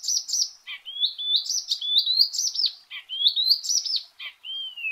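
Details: Icterine Warbler (Hippolais icterina) singing loudly; a fast, varied song of high, sweet whistled and chattering phrases, some notes rising and some falling, delivered in rapid bursts with no other sounds.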